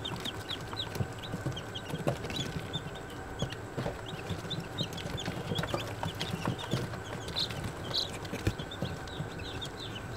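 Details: Baby chicks a day old giving many thin, high peeps scattered throughout, partly buried under steady rustling and background noise.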